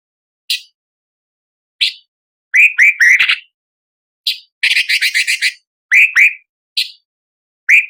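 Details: Orange-bellied leafbird (cucak cungkok) giving harsh, fiery song for training magpie robins: clipped high chips, pairs of slurred downward whistles, and a fast chattering burst of repeated scratchy notes, with clean silent gaps between phrases.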